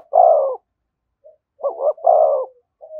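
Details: Coos of a spotted dove in the 'thúc gù' style, called beside a decoy bird. A strong hollow coo, a brief pause, then a quick double note leading into another full coo, with faint short coos after.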